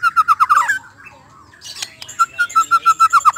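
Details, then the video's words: White-rumped shama sound offered as a lure that makes the bird reveal its repertoire: a run of evenly spaced, mid-pitched whistled notes, a brief quiet gap with a scratchy rasp, then the same steady notes resuming. "TERNYATA SUARA INI DPT MEMANCING MURAI BATU CEPAT BONGKAR ISIAN"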